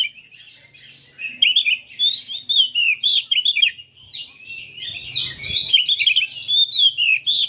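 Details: Oriental magpie-robins singing in an afternoon crowd recording used for training, rich fast song of varied whistled phrases, quick slurs and trills in rapid bursts, starting after a brief quiet moment, with a short low thump midway.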